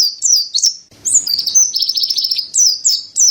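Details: Mountain white-eye singing in a tutor recording: high downslurred whistles open the phrase, then a fast trilled rattle of tiny notes, ending in a few more bright falling chirps.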